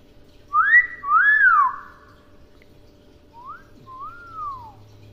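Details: A captive common hill myna imitating a two-note catcall whistle: a loud rising whistle followed by a rising-falling one, then a softer repeat of the pair a few seconds later, in a quiet indoor setting.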